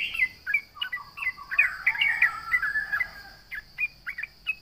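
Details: Trucukan, or sooty-headed bulbul, in energetic song aimed at provoking rivals: fast descending chirps melt into a rich bubbling warble, then thin out to separate sharp notes, over a steady high hum.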